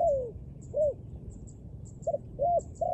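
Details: A dove repeats its cooing phrase: a long descending note, an arched hoot, then short hoots building into another arched and a level note; faint bird chirps above.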